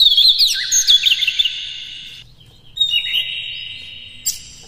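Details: Oriental magpie-robin singing in the morning, a rough-material recording meant to rouse captive birds; a rapid tumbling run of high warbled notes over a buzzy hum, a pause, then a softer trill and one sharp note.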